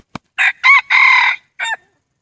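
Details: Wild red junglefowl rooster crowing: a loud, harsh multi-part crow of three broken bursts, the middle part drawn out, then a short closing note, after a faint click.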